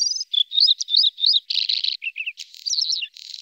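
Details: Norwegian red-spotted bluethroat, part of a pair feeding young, delivering a dense, jumbled sequence of high whistles, buzzy rasps and twisting chirps with hardly a gap.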